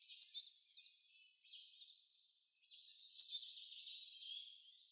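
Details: Woodland songbird in spring song, courting females: a piercing high note pair opens, followed by scratchy, thin twitters, then a second bright burst near three seconds with chattering tail notes.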